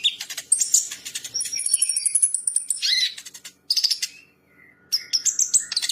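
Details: High, fast bird song used to train champion birds: scratchy chattering and piercing whistles, a sustained shrill note, brief near-silence, then renewed bursts of sharp chips and trills.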